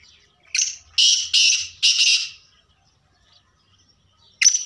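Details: Black francolin calling: a harsh, grating series of four loud rasping notes in about a second and a half, then silence and another sharp note at the end.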